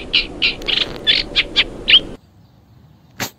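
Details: Eurasian reed warbler recorded live by the Sarno River: a quick run of about seven high, scratchy chattering notes over two seconds, over a low background rumble, then breaking off before a single click.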